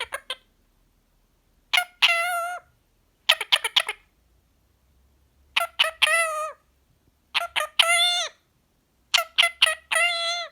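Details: Pet Indian ringneck parakeet, a green pied male, repeating words nonstop when relaxed: clusters of quick clipped syllables ending in a longer wavering nasal phrase, repeated roughly every two seconds.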